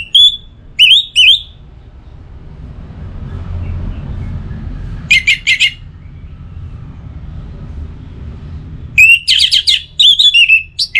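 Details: Anis merah, the orange-headed thrush, in 'pacingan' song from Singaraja, Bali, for stimulating a kept songbird: scattered bursts of sharp, harsh whistled and chattering notes, separated by quiet gaps with a low background rumble.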